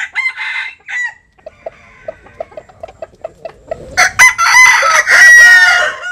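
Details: Sunbathing Jap Cuban bantam rooster: two brief crowing bursts, then a string of quiet, regular low clucks. A loud, rough, sustained crow closes the passage, lasting about two seconds.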